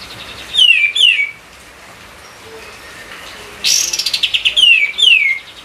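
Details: White-eye song used to lure and train other songbirds: pairs of clear whistles gliding down in pitch, separated by a quiet gap, then a rapid burst of chirps leading into more falling whistles.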